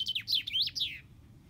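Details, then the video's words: Common chaffinch singing: a quick one-second burst of high, sharply sweeping notes that slur downward in a tumbling series, ending abruptly and followed by near silence with only faint low background hum. "Chaffinch Bird song"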